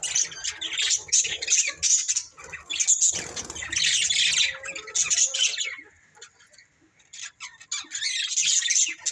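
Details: Budgerigars, a breeding pair, chatter with high scratchy chirps and squawks, busy at first, fading into a near-silent pause around six to seven seconds, then resuming.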